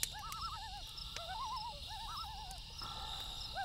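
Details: Wavering, laughing tremolos from loons at night come in quick succession, rising and falling in pitch, accompanied by crackling firewood pops and a high steady insect buzz.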